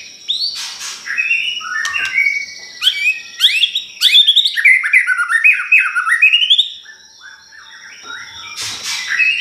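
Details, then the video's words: Pastol bird singing as a lure to provoke a white-rumped shama: fast run of clear whistled, sliding notes, rising and falling, with harsh bursts at start and end and a steady high tone behind. "Pancingan Ampuhh || Pastol Gacorr !!"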